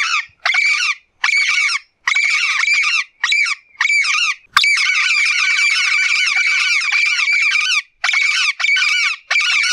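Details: Raspy, squawking chatter from a blue-fronted amazon calling a great deal in nature. Rapid bursts with brief pauses lead into a long unbroken stretch of loud, harsh calls in the middle. The background is silent.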